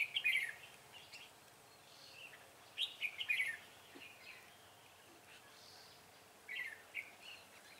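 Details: A decoy red-whiskered bulbul used in trapping, dated 6 December 2016, sings three separate quick, chattering whistled phrases spaced a few seconds apart over a quiet background.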